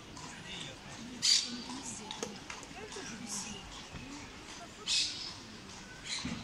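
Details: A wild parakeet building a nest in a palm tree in Sevilla, Spain, gives two brief, harsh, grating screeches a few seconds apart, over faint distant voices and low background hum.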